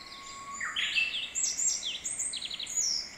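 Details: Wild Japanese bush warbler in a mountain valley, its practised song slightly echoing: a long low steady whistle swelling into a sharp rising flourish, followed by quick descending slurred notes, with faint distant birds behind.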